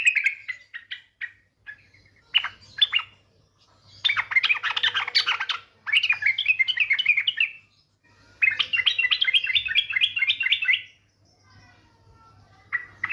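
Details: Female yellow-vented bulbul lure call, meant to make other bulbuls sing: long bubbly, chattering phrases of rapid warbled notes, several in a row with short gaps, over a soft low hum.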